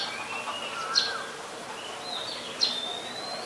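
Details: Two sharp, squeaky chirps about one and a half seconds apart, each followed by a long thin whistle, given by a White-vented myna in Ubon Ratchathani, Thailand, on 14 December 2020.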